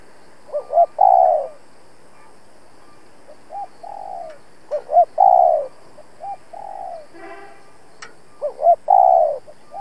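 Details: Decoy spotted dove pressing its cooing to challenge rival doves for trapping; repeated phrases of two short rising coos and a longer falling coo, about every two to three seconds, with a brief rustle mid-clip.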